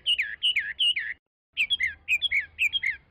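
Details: Chinese hwamei (Garrulax canorus) sings loud, rich whistled phrases, each note sliding down and repeated in quick bursts, with a brief pause partway through.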